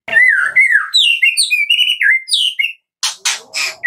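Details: White-rumped shama giving kretekan song for use as a lure: smooth looping whistled phrases followed by several harsh raspy crackling bursts.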